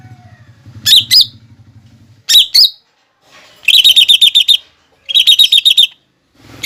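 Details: Lesser green leafbird singing a masteran training song packed with mimicked fighting sparrow, lovebird and hummingbird phrases: short bursts of rapid, sharp, high chirps separated by pauses, with a low engine-like hum underneath at the start.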